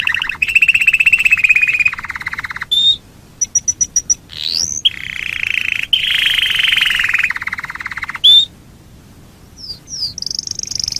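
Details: Domestic canary singing as a lure for other canaries: buzzy rattling trills held for seconds, broken by short high whistles, upslurred sweeps and bright ticking notes, varied and loud.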